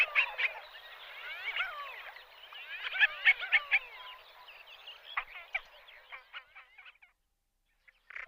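Common pochards in a dense, overlapping chatter of wheezy, sliding whistles and rasping notes for about seven seconds, then a short pause and one last burst.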